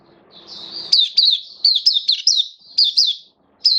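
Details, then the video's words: Hobby oriental white-eye singing on 11 September 2022 in slightly lowered form; a soft high whistle swells into a string of loud, quick, down-slurred chirps, a short pause, and one more chirp at the end. "Mata Puteh Kitaro Buka Sing"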